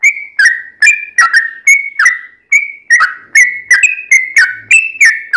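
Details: Yellow-vented bulbul delivering rapid 'ropel' song as a lure: liquid whistled notes with crisp onsets and short downward slurs, tumbling along almost without pause.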